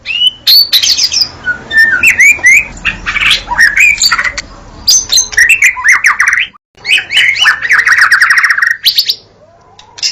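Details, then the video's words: Energetic white-rumped shama (murai batu) song, Indonesia: quick sequences of rising whistles and scratchy trills, about four notes per second, a brief silent gap near six and a half seconds, then a sustained warbling run. "jaminan bunyi pkai suara murai batu"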